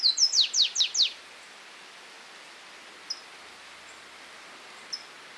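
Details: Flavescent warbler (Myiothlypis flaveola) recorded in Esmeraldas, Minas Gerais, Brazil, giving a quick run of six high, downslurred notes in about a second, then two faint, thin single notes after a pause.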